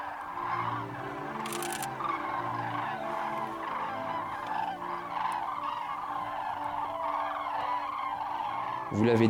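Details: Common crane (Grus grus), a migrating flock of thousands in winter over the Allier plain in Auvergne, France, calling continuously with loud, overlapping bugling trumpets over a steady low drone that may be music.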